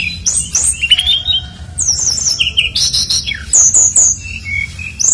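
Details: Bright brown-chested jungle flycatcher song used as a lure for other singers, with clear high whistles sliding up and down between sharp clicks in quick, varied phrases.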